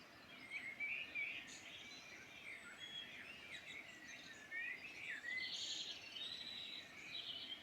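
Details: Mixed bird chorus in the Midlands of Ireland, with high chirps, rising and falling whistled notes and brief trills from several singers, set against a faint constant outdoor hiss.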